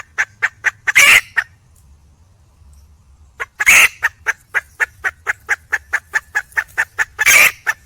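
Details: Wild red junglefowl hen calling for a male: a quick series of sharp clucks, about four a second, broken by a pause and three loud harsh squawking bursts; quiet background.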